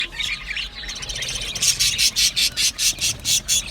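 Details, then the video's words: Australian budgerigars chirping and singing: a busy high twittering chatter that ends in a run of evenly spaced, loud chirps, roughly two each second, with no other clear sounds. "Budgie singing and chirping sounds | Australian Budgie sounds"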